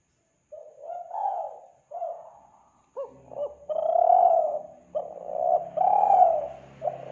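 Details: Kelantan spotted dove call for luring doves: soft short coos at first, then quick rising notes and long mellow coos, with a low background hum in the second half.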